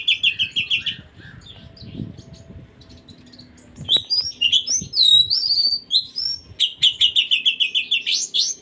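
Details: Oriental magpie-robin performing a kapas tembak-filled song. It opens with rapid repeated high chirps, goes quiet for a couple of seconds, then bursts into fast twisting whistles and buzzy trills before a quick string of repeated notes.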